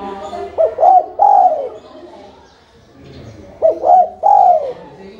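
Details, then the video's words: Spotted dove calling, played as a lure recording to draw replies from other birds: two clear three-note coo phrases, two quick rising hoots then a drawn-out falling one, about three seconds apart over faint background hiss. "LANGSUNG NYAUT dan IKUT BUNYI dengan pancingan terkukur GACOR ini"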